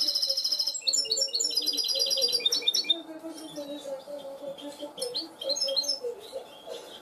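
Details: Cage-trained goldfinch hybrid performing cante limpio song, opening with a loud rapid buzzy trill, then chains of tinkling repeated notes that gradually soften into scattered chirps, a faint low hum beneath.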